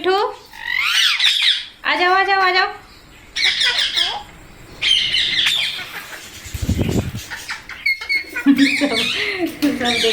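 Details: Indian parrots in a feeding flock, young among them: loud grating screeches and arched squawks in overlapping bursts, with a brief low thud and a person calling the birds.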